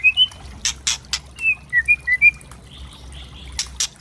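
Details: White-rumped shama (trotol) lure singing: scattered short whistled slurs between loud dry clicks and rattles.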